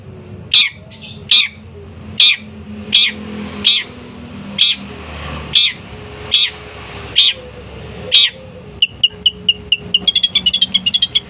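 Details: Long-tailed shrike giving single sharp harsh notes spaced about every second, then a quick stuttering run of chattering notes at the end, over a low background hum.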